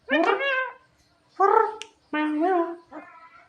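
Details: A Javan myna, called clever and funny, utters drawn-out nasal, wavering notes in three main bursts, each roughly half a second long, with a brief high squeak between and silence around them.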